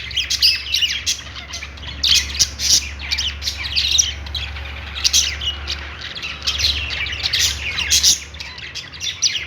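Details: Budgerigars chirping happily, a steady flock chatter of grating squawks, clicks and whistled notes, pulsing in quick bursts throughout.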